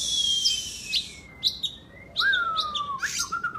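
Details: Oriental magpie-robin (kacer) singing: a high buzzy opening, then long, thin whistled notes gliding slowly downward and a drawn-out falling whistle beneath short high chips.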